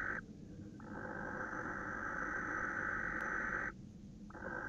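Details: Male barn owl calling at a female on 26 December 2017 around 21:07; a long, harsh, hissing screech held over three seconds after a short opening burst, then a brief pause before another begins.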